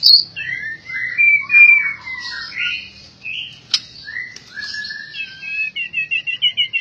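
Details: Song of an albino white-rumped shama: rich, varied whistled phrases, slurred and gliding, a sharp click midway, ending in a fast series of evenly repeated short notes.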